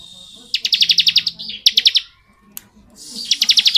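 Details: Bar-winged prinia (ciblek) giving long ngebren singing: bursts of rapid, evenly spaced sharp high chips, about ten in under a second, then a shorter burst and a final run after a brief pause.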